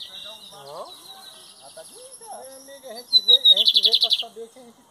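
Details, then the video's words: Lined seedeater from Brazil, heard in the 2023 season with its metálico and torneiro song styles: high thin notes, then a loud rapid pulsing trill near the end, over a man talking throughout. "Bigodinho Metálico x Torneiro"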